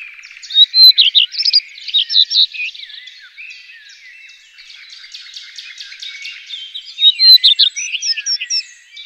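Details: Common redstart song: short phrases of high, thin whistles followed by quick jumbled twittering notes, a bright burst near the start and another near the end with softer varied warbling between.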